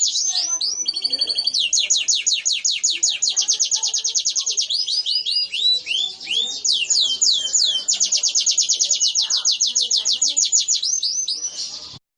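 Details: Fighting canary singing a long training song of high rapid trills, rolling chip series alternating with a few slurred downward whistles, sustained almost without pause for twelve seconds before stopping abruptly.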